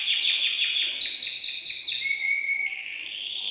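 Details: Excited caged male canary singing to stimulate the female for mating: fast repeated chirped notes, roughly two per second-fraction, sliding into a buzzy sustained trill then a clear whistled tone.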